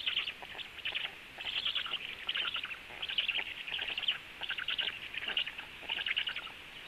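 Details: Female black stork feeding storklets frogs at the nest; dense clusters of harsh high chirps come in short bursts roughly every second, steady and busy throughout over a faint background hiss.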